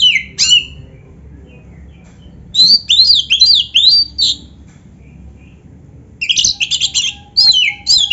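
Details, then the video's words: Oriental magpie-robin master recording with full canary fill-ins: scattered harsh squawky notes, then groups of quick chattering, downslurred whistles separated by quiet pauses. "suara Kacer gacor isian komplit | Masteran Kacer ISIAN Burung Kenari"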